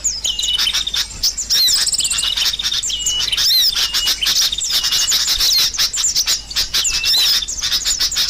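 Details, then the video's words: Sooty-headed bulbuls in a noisy lure recording for trapping birds: dense overlapping high chirps and short whistled notes, some sliding up or down, chattering almost without pause throughout. "Suara Burung Kutilang Ribut Paling Ampuh"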